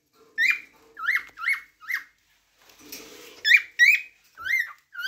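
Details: Cockatiel chirping: a string of short whistled notes, each sliding up then down with bright overtones, about eight in five seconds, with a brief soft rustle in the middle.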